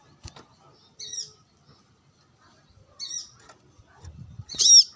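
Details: Brown-throated sunbird, sunbathing and calling to rivals, gives soft twittering notes twice, then one loud, sharp high chirp at the end, with faint clicks and rustling.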